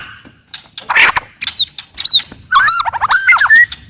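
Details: Forest white-rumped shama in loud, aggressive song meant to provoke rivals: a burst of harsh noise, then bright whistled phrases and a quick run of looping notes with high ringing overtones.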